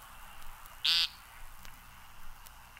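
An American Woodcock gives one short, harsh, nasal buzz, a peent, lasting a fraction of a second, against faint background hiss.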